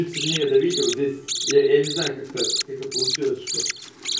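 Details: Budgerigar chicks begging while parents feed them: about eight harsh, buzzy bursts in quick succession, with a lower warbling murmur running underneath.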